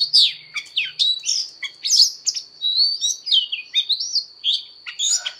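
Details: Oriental magpie-robin giving fighting song during voice training: loud, varied whistled notes and sweeping slurs, short phrases about every second, with a faint low hum early and a persistent high tone.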